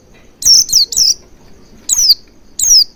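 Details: Oriental white-eye lure sound: a quick cluster of three high descending chirps, then two more spaced apart, thin and bright over faint background noise.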